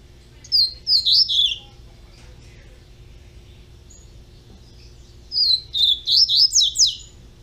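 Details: Captive-bred double-collared seedeater chick singing two bursts of high, slurred whistled notes, four in the first and seven in the second, separated by several seconds of near silence with a low background hum.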